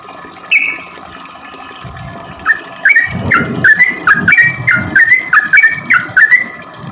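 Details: Sooty-headed bulbul used as a lure for reluctant singers: after a lone high note and a pause, an unbroken series of chattering slurred notes starts and runs steadily to the end, accompanied by low thuds.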